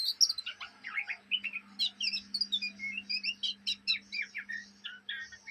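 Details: Oriental magpie-robin fledgling from Indonesia chattering (ngriwik) day and night; rapid jumbled phrases of bright whistled slurs and scratchy notes in quick succession, roughly several notes each second, with a soft background hum.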